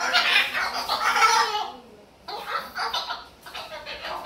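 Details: Pet Moluccan cockatoo talking: a harsh, breathy burst lasting over a second, a short silence, then several quicker chattering, speech-like phrases.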